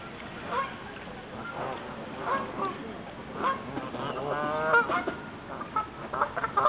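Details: Canada geese on ponds at a river's source, some becoming airborne. Repeated nasal, harmonic honks sound from several birds, with a rough, honking burst near the end over a murmur of background noise.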